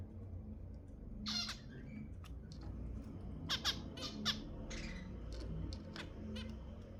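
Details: Zebra finches, with sounds offered to prompt mating, give a loud nasal call and then a scatter of short, clicky beeps and buzzy notes spread over seven seconds, with steady low background noise.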